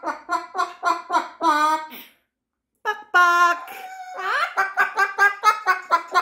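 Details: Moluccan cockatoo, indoors on a busy afternoon with its flock, gives quick repeated clucking notes about three or four a second, then a harsh drawn-out squawk after a short pause before clucking resumes; called a "cluckatoo".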